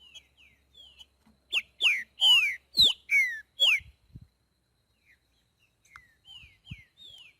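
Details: Boiadeiro-style song of a green-winged saltator in nature: soft downslurred whistles build into a loud run of six strong falling notes, followed by quieter, more distant downslurred phrases.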